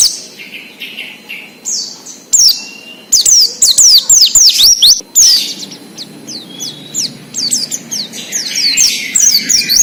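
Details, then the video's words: Oriental white-eye in the wild, recorded as a trigger for trainee captive birds: dense, quick runs of high downslurred whistled notes, about two per second, in long tumbling phrases with brief pauses and faint other chirps. "PLECI NGALAS UNTUK PANCINGAN BUNYI PLECI BAHAN / OMBYOKAN"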